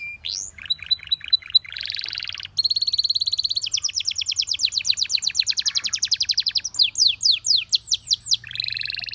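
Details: Canary singing in varied tours: spaced upward whistles, a buzzy steady note, long rapid chirping rolls, then sweeping slurred notes and a lower buzzy trill.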